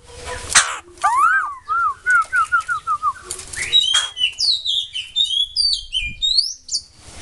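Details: Song of a white-crested laughingthrush: a harsh opening note, then a rhythmic series of about eight short descending whistles, followed by fast high squeaky chirps, over a low background hum.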